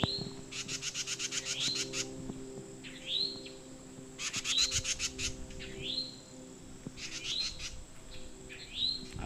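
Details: A towhee gives its mating call, other birds joining in: rising slurred notes every couple of seconds, interleaved with loud rapid stuttering trill bursts from another bird.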